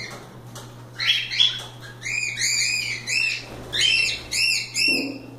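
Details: Free cockatiels playing: a lively run of repeated rising-falling chirps, some in quick pairs, with faint flutter and a steady low hum.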